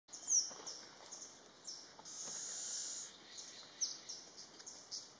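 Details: A flame-throated warbler (Oreothlypis gutturalis) calls with very high, thin notes, including a sharp falling chip and a second-long buzzy trill, over a steady background hiss.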